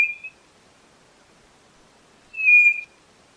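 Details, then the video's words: White-bellied nothura song: a short whistled note cut off at the start, then after two seconds of silence a fuller, steady whistle lasting about half a second, with no other sounds. "Canto da Codorna do Nordeste Nothura Boraquira"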